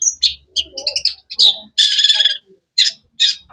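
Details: Cendet (long-tailed shrike) chirping sharply: quick high notes and softer low warbles, then a loud, harsh buzzing burst of over half a second and two short rasping chirps.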